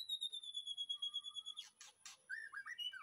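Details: Backyard aviary white-rumped shama, afternoon, master song: one long pure steady whistle held over a second, then a few noisy bursts and a quick run of slurred lower whistles.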